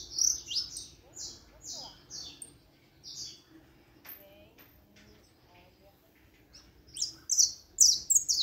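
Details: Saffron finch song of high, falling chirps opens and closes the passage; in between, the bird falls quiet and faint other sounds and murmuring are heard over a low background hum.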